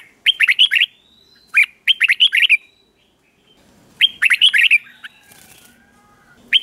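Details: Red-whiskered bulbul song in the slow, clear 'เบิ้ล' doubled style, played to caged birds for copying; three lively phrases of rapid warbled notes, with short silences between them and faint background rustling.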